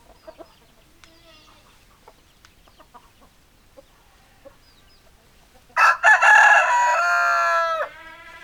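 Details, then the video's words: Chickens: a few soft scattered clucks, then a rooster bursts into a loud, harsh crow of about two seconds, ending in a falling drawn-out note. "Chicken Sounds Noises Hens Clucking Roosters Crowing"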